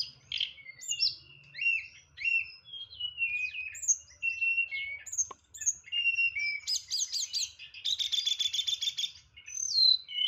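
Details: Songbird known as tledekan delivering a varied 'nyeklek' song with full 'isian': sharp chips and whistles, then a loud buzzy rattling burst near the end.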